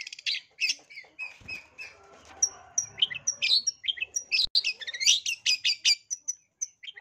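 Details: Long-tailed shrike lure song, a lively, varied bird song used to provoke other shrikes into fighting: rapid chattering and harsh notes mixed with short whistled pips and rising slurs, densely repeated with few pauses, plus a faint low murmur mid-clip.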